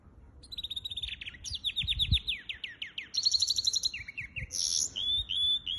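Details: Hybrid finch singing on 23 April 2023, with sustained whistles, a fast sequence of sharp downslurred notes, a buzzy trill and a harsh burst before a final high whistled note.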